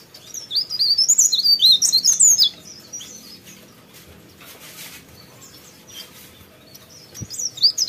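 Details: Lively sooty-headed bulbul song: a dense two-second run of high, jumbled chirps and squeaks, a long quiet gap with faint noise, then the chattering resumes at the end.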